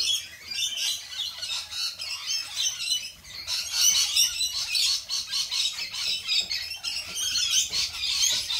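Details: A continuous chorus of lorikeet screeching, shrill rasping squawks tumbling over one another in fast, pulsing bursts for nearly nine seconds without a real pause.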